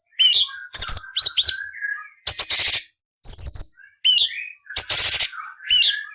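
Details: Cucak cungkok tutor song for murai, cucak ijo and kacer. Rich mix of rising whistles, lower warbling slurs and harsh rasping bursts in quick succession with short gaps.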